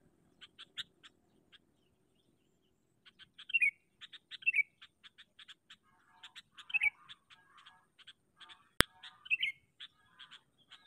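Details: Sooty-headed bulbul decoy bird used in trapping bulbuls. Loud, liquid, down-slurred phrases sound four times among series of sharp clicking chips. A single sharp snap is heard near the end.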